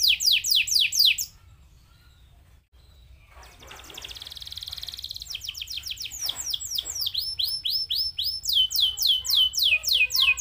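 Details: Canary singing to stimulate other canaries: falling whistled sweeps, a brief silence, then a soft buzzy trill building into varied chirps and loud repeated downward whistles.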